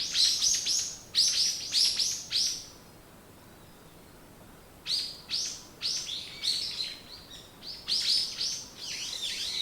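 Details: Morning birdsong for waking up: rapid series of sharp high chirps delivered in fast bursts, a pause of about two seconds, then more quick chirping runs.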